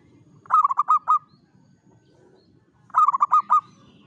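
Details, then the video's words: Zebra dove, a local bird, singing in the morning: two short phrases of five or six fast, rolling, trilled coos separated by about two seconds of quiet. "SUARA BURUNG PERKUTUT LOKAL DI KEREK PAGI HARI"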